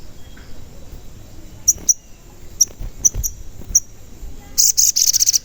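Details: Calls of a sogon bird, used as a lure to make other sogon sing and grow agitated. Very high, thin, short chirps come singly and in pairs, then a fast rattling burst of sharp clicks closes.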